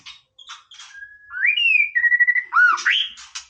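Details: Casual song from a white-rumped shama: soft scratchy notes lead into a steady whistle, then rising and falling whistled slurs and a looping note, closing with harsh rasps.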